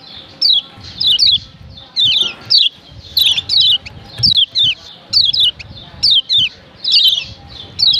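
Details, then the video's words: Lombok yellow white-eye female, locally kecial kuning, calling to stir up males; sharp high downward chirps come in clustered bursts through the recording, with a quiet low-pitched background. "Ciak Ciak Kecial Kuning BETINA Ampuh Bikin Kecial JANTAN RIBUT‼️"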